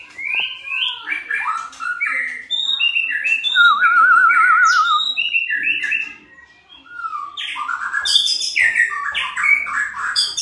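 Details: Varied song of a white-rumped shama, used to prompt caged shamas to sing: quick run of clear rising and falling whistled notes, a trilled wavering phrase, then bright high chirps after a short gap.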